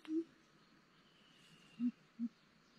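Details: Coucal call played to lure birds for trapping: deep, low, hollow hoots, one short note followed after a pause by two more spaced about half a second apart, over faint background hiss.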